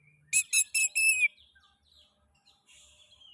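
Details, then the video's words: Oriental magpie-robin, called kacer, in a lure recording to prompt other magpie-robins to sing: four loud ringing whistled notes in quick succession, then faint distant whistles and a low hum. "Pancingan kacer ngeplay...cocok untuk merangsang bunyi kacer"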